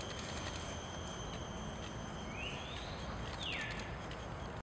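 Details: A migrant ruddy kingfisher, a winter visitor, at Bidadari park, Singapore, on 24 October 2013 gives a faint rising whistle, then a clearer falling, slurred note, over steady high insect hum and a heavy low rumble.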